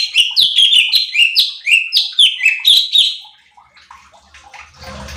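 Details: Cucak cungkok bulbul singing for a training recording that provokes other birds: about a dozen quick, downward-sliding whistled chirps over three seconds, then quiet with a short rustle at the end.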